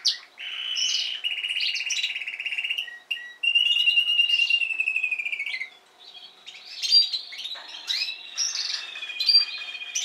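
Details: Spanish timbrado canary song, where last season's adult and this season's young learners are present: long sustained metallic rolls broken by short pauses, followed by varied quicker notes and warbling phrases.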